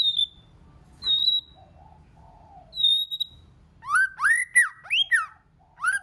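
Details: Many-voiced song of a white-rumped shama, played to rouse other shamas: several steady high whistles with short low warbles between, then a lively run of looping, swooping notes.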